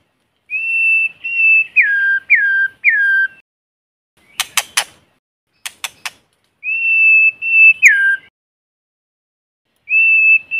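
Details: White-rumped shama singing in forest, clear whistled phrases: a level note dropping into repeated falling slurs, long pauses between phrases, broken by sharp clicking or tapping sounds midway.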